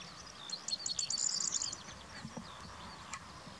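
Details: Corn bunting (Emberiza calandra) at a coastal breeding site near Valleberga viewpoint, 23 June 2020, singing one high, jangling phrase of quick, accelerating notes about a second and a half long, like shaken keys, over a low background rumble.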